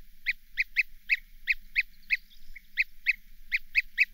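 European Bee-eater giving short, rolling, liquid 'prruip' calls, repeated about three times a second with slight pitch variation; no other sounds.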